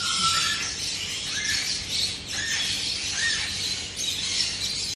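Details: A white cockatoo trying to talk gives harsh, raspy squawks with a few short rising whistled notes through a steady hiss of background noise, in mimicry attempts.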